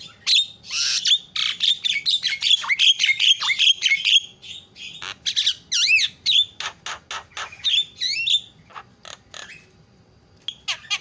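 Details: Dense, chattering starling song played to provoke other starlings into singing, packed with buzzy whistles, squeaks and warbling loops, then a run of clicks that thins out near the end.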